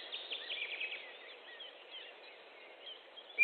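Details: Osprey at its nest in Estonia, 29 May 2014 at 18:12, during a fish delivery, picked up by a nest camera: a quick series of short, whistled chirps, then softer scattered whistles over a steady hiss.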